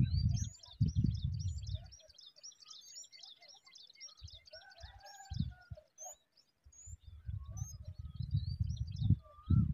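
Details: A young small minivet (Pericrocotus cinnamomeus) gives thin, very high chirps in a rapid run that fades after a few seconds, with gusty wind rumble and a few other twitters.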